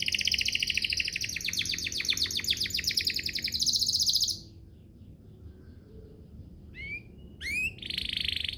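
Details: Canary singing as a lure to make other canaries answer: a fast dense rattling trill held for over four seconds, then quiet, followed by a few sharp rising notes and a brief buzzy burst.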